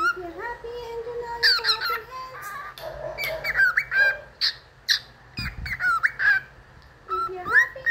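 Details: Household cockatiel performing "If You're Happy and You Know It": wavering whistled phrases with bright upslurs and squeaky bursts, a sharp knock midway, and a quiet voice in the background.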